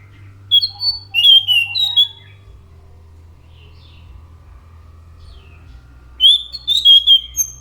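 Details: Orange-headed thrush giving two bursts of sweet whistled and warbled phrases, separated by about four seconds of quiet, over a faint low hum.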